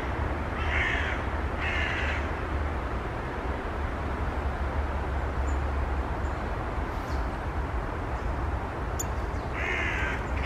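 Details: Eurasian magpies and western jackdaws giving alarm calls at a nearby sparrowhawk on 6 November 2020, making other birds freeze; three harsh, rasping bursts near one, two and ten seconds over a constant low rumbling noise.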